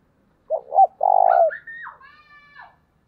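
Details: Spotted dove in the early morning, in the thổ đồng voice style, cooing to lure wild doves: a few soft low coos, then a longer steady coo, then a higher, sliding, clearly voiced phrase fading out, on a quiet background.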